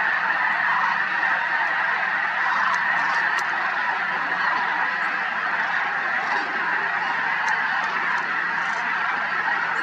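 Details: Snow geese flying over Merced National Wildlife Refuge in February 2021 with sandhill cranes: an unbroken chorus of countless honking voices blending into a loud, even din.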